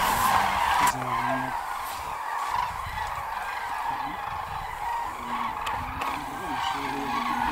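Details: A migrating flock of common cranes (Grus grus) in Hungary gives a steady chorus of loud, rolling trumpeting calls, many overlapping at a quick pace, with low rumbling noise beneath.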